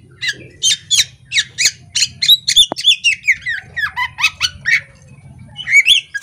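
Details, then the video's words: Female Oriental magpie-robin kept in a cage, tail spread, singing steadily: a run of scratchy buzzy notes at a fast even pace, shifting into clear descending whistles, a low hum underneath. "Kacer betina ngobra buka ekor"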